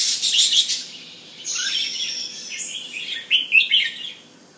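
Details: Penang bulbul, a male displaying at home, opening with bright high chattering, then drawn-out whistled notes and a final trio of loud, quick rising chirps.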